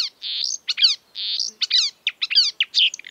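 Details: Drawn-out buzzy notes alternate with quick clusters of descending slurred chirps in the exuberant mimicking song of a marsh warbler, which copies birds from Europe and Africa.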